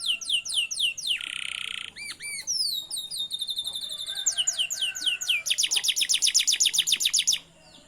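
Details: Canary song used as a lure to teach young canaries to sing: rapid series of descending whistled sweeps, a buzzy harsh trill, rising notes, then a fast repeated chattering trill near the end.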